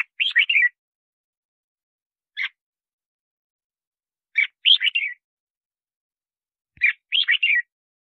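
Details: Red-whiskered bulbul song used to lure wild birds and train captive singers: short warbled phrases of bright, rolling notes, a lone chirp between them, phrases repeating roughly every two to three seconds against a silent background.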